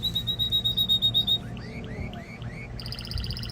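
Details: Singing canary, used to rouse birds for breeding and to teach chicks: a loud pulsed high trill, a series of slower rising slurred whistles, then a buzzy rapid rattle.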